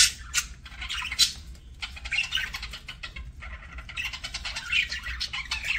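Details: Pet parakeet at mealtime: bursts of scratchy twittering separated by short pauses, with sharp clicking notes mixed into the chatter.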